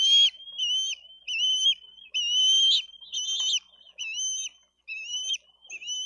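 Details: Bald eagle eaglets screaming while fighting over a fish meal at a Dade County nest, 22 May 2023; repeated thin whistled squeals with wavering pitch and sharp falling ends, about eight in quick succession.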